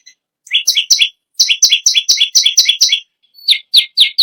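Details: A bar-winged prinia sings short bursts of rapid, bright chirps separated by brief pauses. The clip ends with a slower series of downward-sweeping notes.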